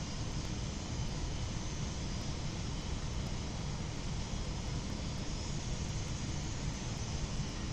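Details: Continuous deep roar of aircraft and traffic in an urban setting, with no audible animal calls.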